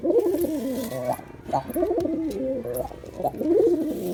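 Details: Male Girabaj pigeon performing, giving low throaty coos in rolling phrases with a slight wavering pulse, three bursts spaced about a second apart, heard indoors.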